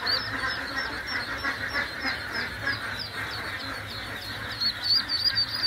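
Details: A brood of about 1500 Khaki Campbell ducklings in Nepal fills the air with a dense chorus of high, thin peeps, overlapping several times a second, over a soft steady hum.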